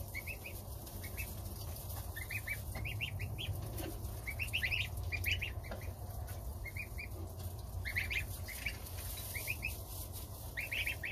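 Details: Domestic goose family at breakfast, goslings feeding on starter ration with the mother as the father keeps guard outside; clusters of bright, rising peeps come in bursts over constant low background noise.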